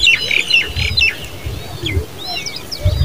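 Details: Harsh, squawky high calls from Common babbler chicks, repeated in quick bursts of arched, scratchy notes, then thinner scattered chirps, with low rumbling noise underneath.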